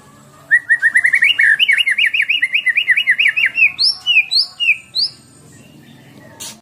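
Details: Caged white-rumped shama from Medan, 11 months old and 24 cm, contest bird with mimicry, giving a long rapid rolling trill of wavering notes followed by several higher downward-slurred whistles.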